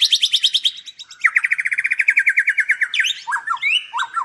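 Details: White-rumped shama kept at a Palembang breeding farm, its song packed with rapid trilled series of repeated notes, shifting pitch between runs, ending with loud sweeping whistled phrases.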